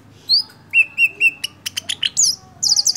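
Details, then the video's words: Golden-fronted leafbird singing as a lure to draw song from other birds: a high slurred whistle, three steady level whistles, a burst of sharp clicking notes, then a fast high chattering trill. "Cucak hijau kepala kuning (CHKK) bagus buat pancingan"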